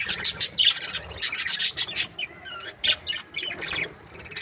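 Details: Budgerigars from breeding pairs: a rapid string of scratchy, buzzy chirps followed by thinner wavering warbled notes and a few sharp clicks.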